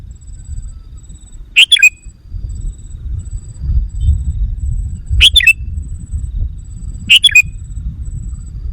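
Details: Three brief, liquid, chattering phrases from a sooty-headed bulbul lure recording meant to agitate wild bulbuls. The phrases are widely and irregularly spaced, with a faint thin high tone and low rumble in the background.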